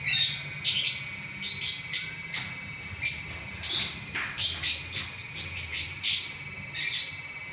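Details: Champion lovebird singing for minutes without pause: rapid, irregular stream of shrill, buzzy chirps and squeaks, nearly continuous, with a quiet mechanical hum in the background.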